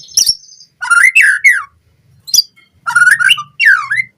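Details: White-rumped shama training lure song for captive birds: short bursts of loud slurred whistles and sharp high notes separated by brief silences.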